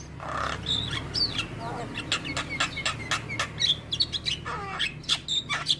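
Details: Javan myna song used as a morning training recording to make mynas sing: a busy mix of bent whistles, sharp chips and buzzy notes, steadily repeated, with faint low hum throughout.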